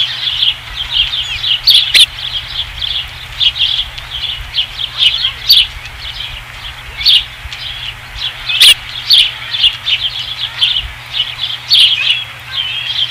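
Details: Osprey at the Dunrovin Ranch nest on 5 August 2016. High chirps come in clusters across thirteen seconds, and a few sharp clicks or knocks stand out over the chatter.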